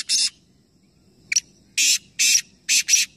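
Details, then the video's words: Black francolin calling during a three-bird calling competition in Nawabshah, Pakistan: one harsh rasp, then a short click and four loud, grating, buzzy notes in quick, uneven succession, with a quiet low murmur beneath. "Teen Teeter Ek Sath Awaz Competition | Black Francolin | Black Partridge"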